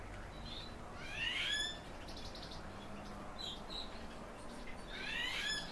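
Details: Common house martin giving brief bursts of sharp, rising chirps, one near the start and another at the end. Fainter, scattered twitters fall between the bursts over a low, steady background hiss.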